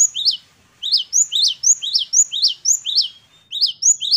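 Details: Great tit (gelatik batu) in lively 'gacor' song with rich variation: bright, high chirped phrases of a rising note and a sharp upslurred note, repeated about four times a second in two bursts separated by a short pause.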